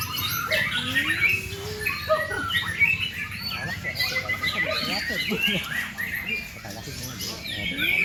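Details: White-rumped shama (murai batu) singing a fast, varied run of whistled and chirping phrases, mostly high-pitched with quick up-and-down slides, some lower sliding notes near the start, over a steady low background hum.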